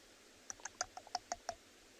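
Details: A woodpecker, possibly a bearded woodpecker, pecks at a branch to communicate on a winter sunrise drive in the Tswalu Kalahari Reserve, South Africa: seven or eight sharp, dry knocks in about a second, slightly irregular in pace, against a quiet background.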